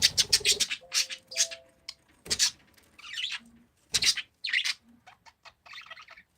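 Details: Parakeets give sharp, high chirps in quick bursts of rapid repeated notes, separated by short silences, followed by softer, scratchy chatter near the end.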